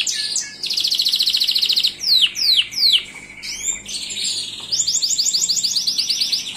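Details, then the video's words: Singing Gloster canary: dense fast trill, then several loud descending whistled sweeps, followed by another rapid rolling trill of repeated notes. "تغريد كناري جلوستر"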